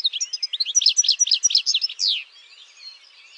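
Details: European goldfinch, a campero (wild-type) singer, delivering a fast run of twittering, tinkling notes with rapid descending slurs, ending in a louder buzzy downslurred note, then quiet.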